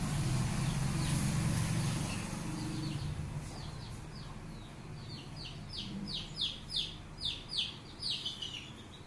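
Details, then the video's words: Native Indian country chicken chicks being raised naturally with their mother hen: a run of thin, high, downslurred peeps repeated quickly in the second half, over a steady low rumble of background noise. "இயற்கையான முறையில் வளரும் கோழி குஞ்சுகள்"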